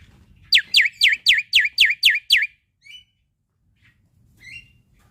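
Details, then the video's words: Male Black-winged Myna (jalak putih) in vigorous, varied song used to tutor young starlings: eight loud, sharply falling whistles delivered rapidly at about four per second, then two faint soft notes. "Masteran Burung Jalak Putih Gacor Full Isian Untuk Jalak Nusa / Jalak Pito Muda"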